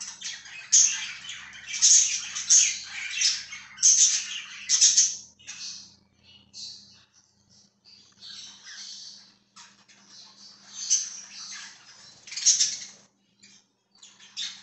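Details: Pet budgerigar on a live stream from 14 September 2023 chatters in dense bursts of high scratchy chirps and squeaks, with brief pauses between bursts and a faint low hum underneath.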